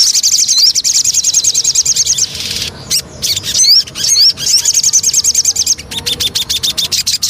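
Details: Javan cochoa, lure song: rapid high trilled phrases broken by clear upslurred whistles and sharp clicks, the trill pulsing quickly and unevenly.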